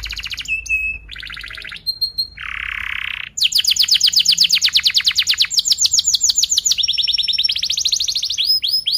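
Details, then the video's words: Canary singing an extended gacor song as a model for young canaries: thin whistles and buzzy bursts, then a long energetic roll of rapid repeated notes shifting pitch, ending in swooping chirps. "KENARI GACOR PANJANG Rol Rapat EMOSI Cuit cuit Ngerol AMPUH utk Pancingan kenari paud belajar bunyi"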